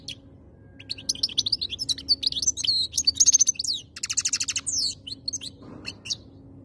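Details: European goldfinch labelled khaloui, singing in 2022: a dense, fast twittering run of high chirps, liquid slurred whistles and buzzy rattling trills, loudest in the middle, with a short harsh note near the end and a faint low steady hum.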